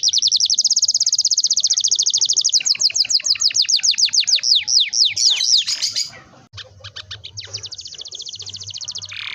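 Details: Long rolling canary song used as a lure for young canaries learning to sing: a steady fast high trill, then descending sweeping notes, a brief gap, and another fast trill.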